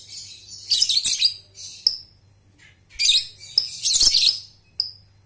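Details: Shrill lovebird chatter from a lure recording for young balibu birds learning to trill: two dense, harsh, high bursts, each ending in a short pure whistled note, with quiet between them.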